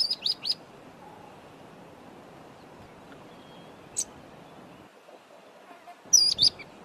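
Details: A mousebird in Zambia calls, giving high, thin chirps in short bursts at the start, once midway and again near the end, over a steady low background rumble.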